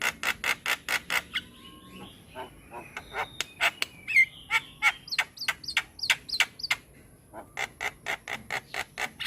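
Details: Javan myna (white-eyed type), a vigorously singing bird on a masteran recording: rapid runs of harsh, squawky clicks and chatter, then a few rising whistled notes near the middle, with a steady high electrical whine throughout.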